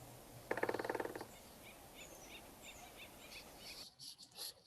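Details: Acorn woodpecker (Melanerpes formicivorus) on an acoustic recorder monitoring California wildlife after megafires, where it calls constantly: a harsh, nasal burst of rapid repeated notes under a second long, then faint high chirps and rustling.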